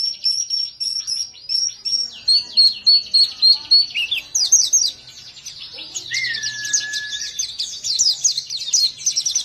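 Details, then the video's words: Male white-eye from a long, loud birdkeeping track, possibly a Papuan form, singing rapid high chirping phrases repeated several times per second, then a long descending whistle and dense twittering trills, all high-pitched with faint background noise. "pleci gacor mp3"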